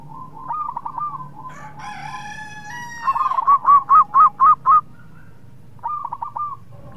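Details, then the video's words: Zebra dove song used as a lure for rival doves: quick hooked coo phrases at the start and end, with a clear run of seven rising-falling notes in the middle, while a rooster crows in the background. "PERKUTUT LOKAL GACOR BIANGANYA PANCINGAN LAWAN CEPAT NYAUT"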